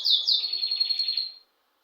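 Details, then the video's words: Bird chirping at home: two quick high chirps followed by a short, fast, high-pitched trill lasting just over a second, then silence. "To the sound of birds"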